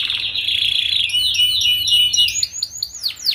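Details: Canary paud song played to tutor young canaries kept in a group to sing quickly; a thick buzzy trill gives way to sharp ringing notes and fast looping downsweeps.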